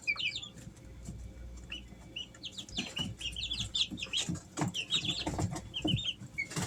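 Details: Home-kept Easter Egger chicks aged three weeks peep steadily, overlapping high chirps about once per second or faster, with light scratching and tapping beneath.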